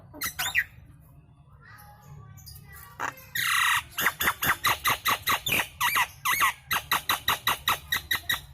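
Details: Nias hill myna lure song for triggering other birds: a few squawks, a broad harsh blast, then a long, steady train of about twenty clipped loud notes, roughly two or three per second.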